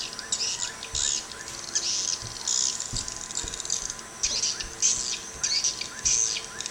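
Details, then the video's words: Swiftlet calls tested in Sabah: bursts of high, buzzy twittering chirps come in irregular clusters several times a second, with faint lower clicks and a steady background hum. "HY Crystal Swiftlet sound"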